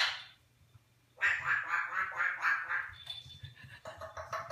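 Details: Captive New Guinea eclectus parrot, recorded 21 January 2015, talking in English and Flemish: after a second of near quiet, a fast run of hoarse, speech-like syllables with rippling overtones, ending in shorter clipped bursts, with low room hum beneath.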